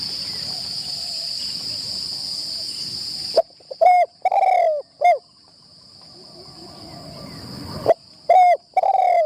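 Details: Decoy spotted dove on a first training session in a trapping tent. Two bursts of low, mellow coos, short notes alternating with longer sliding ones, separated by a pause. A continuous shrill insect whine fills the background.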